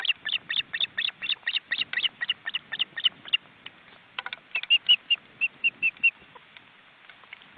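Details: Osprey family of four in a crowded nest in an Estonian forest reserve, seen on a live webcam with wing-flapping chicks. Fast, high chirping series give way to clearer, whistled piping notes, with a low rustle underneath.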